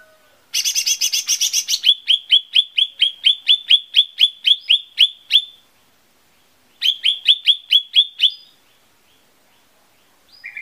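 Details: Lesser green leafbird lure recording: a harsh buzzy rattle leads into a long run of crisp, downslurred chirps. After a pause a shorter chirp series follows, then silence with a brief high note at the end.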